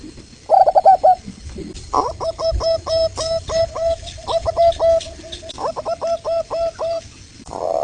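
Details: Local zebra dove from Indonesia (Geopelia striata), used to provoke other doves into answering; series of low, slightly hollow coo notes in several runs, somewhat muffled, with faint background hum.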